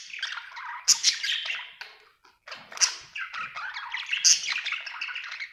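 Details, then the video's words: Cheerful budgie chatter: continuous scratchy warbling with sharp high chirps punctuating it every second or two, a brief pause just past two seconds. "Happy budgie chirping sound"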